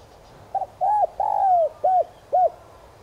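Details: Decoy spotted dove cooing in the standard 'son' voice to lure wild doves: a double-pulsed intro, a curved hoot, a long descending coo, then two evenly spaced rounded coos.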